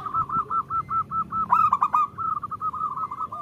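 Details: Local female zebra dove calling the male, used to prompt males to sing: a continuous string of quick, regular cooing notes with one loud, buzzy burst in the middle.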